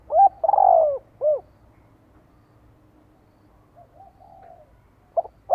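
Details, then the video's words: Spotted dove decoy calling to lure wild doves in to fight: a full coo phrase of two short notes, a long quavering descending note and a clipped arched note. A long quiet pause follows, then a faint low coo and the start of another phrase. "TIẾNG CHIM CU GÁY MỒI CHUẨN GÁY GÙ THÚC KÍCH BỔI VỀ ĐẤU"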